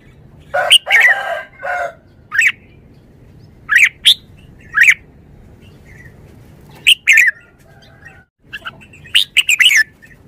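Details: Red-whiskered bulbul, a caged bird, giving short bright warbled phrases around mid-high pitch, several brief bursts spaced irregularly over ten seconds with quiet gaps between.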